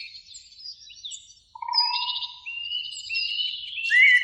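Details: Eurasian blackbirds, two singing from a spring beech tree by a lake in the evening: faint high twitters, then a clear low steady whistle, followed by rising fluty notes and a louder bright warble at the close.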